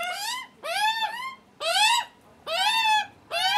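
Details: Hungry young Australian magpies screaming to be fed during their first visit with the nervous adult male; long, loud, grating harmonic wails, some paired, each around half a second, repeated about once a second.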